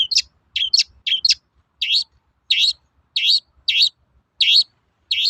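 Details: Long-tailed shrike in toet-toet mode, used to spur other shrikes to sing. Three quick double notes are followed by seven rough, buzzy high chatter notes, each spaced about half a second apart, with faint clicks below.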